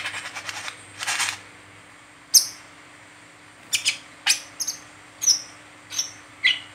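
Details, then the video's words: 'Ngeriwik teler' chatter of a Brown-throated sunbird, used to draw and train other sunbirds: a soft rustling start, then a run of piercing high chips and short downslurred whistles at uneven half-second to second gaps. "Burung Kolibri Kelapa Ngeriwik Teler"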